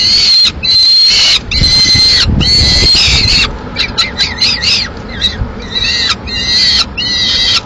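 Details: Lone peregrine falcon chick begging for food in Madrid, Spain, 22 May 2016, as the adults deliver a swift; drawn-out strident screeching cries, then shorter choppy wails broken by brief gaps, with some low knocking sounds.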